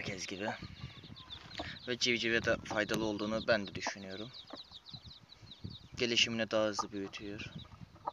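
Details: Domestic hen with her chicks: a busy run of rapid, throaty clucks, roughly two a second, mixed with thin high peeping from the chicks and some background voices.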